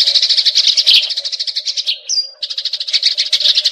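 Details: Eurasian tree sparrow fighting, with rapid rolling chatter interrupted near the two-second mark by a short, thin whistled note before the harsh stream of chirps resumes; audio intended to train magpie robins.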